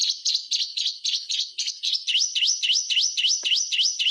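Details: White-rumped shama song used to encourage silent shamas: a fast, very regular series of high chirps, then looping upswept whistles repeated nearly four times per second.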